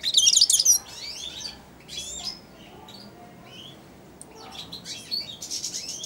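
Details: Young caged European goldfinch, four months old, accustomed to eating from the hand and singing subsong there; an opening burst of harsh, buzzy chatter, scattered slurred whistles, then another scratchy twittering phrase.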